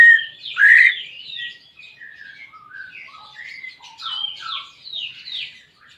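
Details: Greater green leafbird, a pet bird, sung to coax a reluctant caged bird into song: a loud rising whistle, then a rambling varied warble of short chirps and slurred notes at lower volume.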